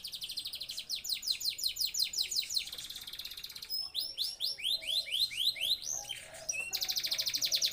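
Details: Male canary in breeding condition singing: loud, high, continuous trills of fast repeated notes, rolling phrases changing speed, ending in a dense buzzy trill.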